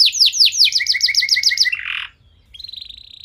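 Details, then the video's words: Canary song used to prompt other canaries to sing: rapid series of descending whistled sweeps, a lower repeated note line, a brief buzzy burst, then a thin high steady trill after a short pause. "Kenari Anda Bisa Gacor Seketika Dengar Pancingan Kenari Nembak Joss Ini"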